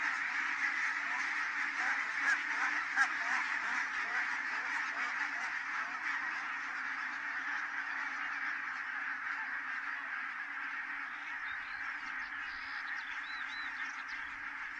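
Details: Flock of geese landing at Kulgur, Estonia, 4 May 2018, 17:58. Dense overlapping honking, loudest early on, slowly easing; a few thin whistled notes from other birds appear near the end.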